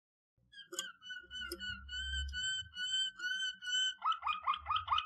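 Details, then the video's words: Waterslager canary singing for training: soft pulsed whistles in a rolling tour, ending in quick bubbling up-and-down notes, over faint low background rumble. "Legendary Waterslager Canary Singing For Training - وتر سلاجر"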